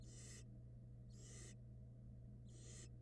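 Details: Barn owl nestlings in a Florida nest box while swallowing a rat, three loud hissing screeches about half a second long in quick succession, with steady low hum behind.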